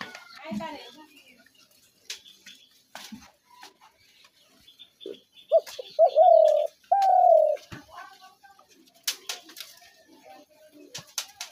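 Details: Spotted dove calling, a recording used as a sound to lure doves into traps; a short phrase of mellow, low coos, two brief notes then a longer drawn-out coo, with scattered faint clicks and taps around it.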